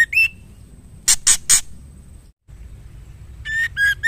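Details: Female white-rumped shama calling the male: a brief rising whistle, three harsh broadband bursts, then a run of short clear whistled notes near the end, with a steady faint high whine throughout.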